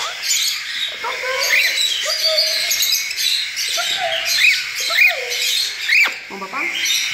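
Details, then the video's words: Young hand-fed cockatiels, a group just out of the nest, begging during a porridge feeding; steady high hissing rasp throughout, overlaid by short sharp upward-flicking notes about once a second and some flat mid-pitched tones. "Alimentando os filhotes de calopsitas - Papinha"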